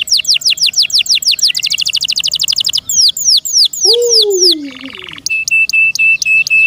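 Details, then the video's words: Pet canary singing quick descending chirp runs that speed into a dense trill, then swooping notes, a lower slurred whistle, a buzzy burst and evenly spaced ticking notes. "PLEASE LISTEN AND ASSESS FOR YOURSELF THE BEST CANARI BIRD"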